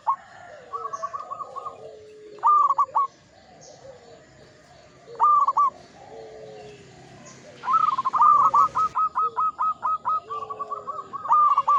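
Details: Local zebra dove, an old bird, singing actively. Short stuttering coo phrases come every few seconds, then a long run of evenly spaced, rapid pulsed coos. Quieter doves call in the background.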